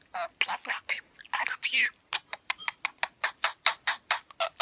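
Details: A pet budgerigar speaks in English in rapid, high, scratchy syllables, imitating human speech.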